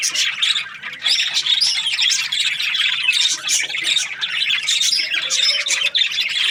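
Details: Flock-like chatter of budgerigars (Australian parrots): rapid, jumbled high chirps and squeaky warbling, steady and dense throughout.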